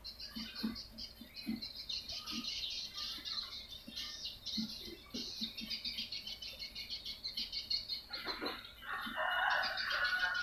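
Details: Swiftlet lure call, used to attract swiftlets: buzzy high chattering twitters in rapid bursts, a few low clucking notes underneath, ending in a louder, brighter burst of calls.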